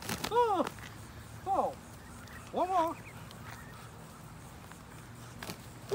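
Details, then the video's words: Wild ducks in the United States quack while being fed, giving three or four spaced nasal calls that rise and fall, amid faint voices and background noise. "Cho Vịt Trời Ăn Ở Mỹ"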